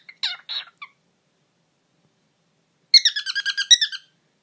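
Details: Pet bird indoors making a couple of short raspy chirps, then after a pause a fast burst of repeated harmonic beeping notes lasting about a second.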